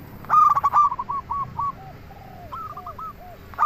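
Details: Local zebra dove singing to lure other doves: a loud run of fast, bubbling coos, then softer, slower coos trailing off, and a distant dove answering.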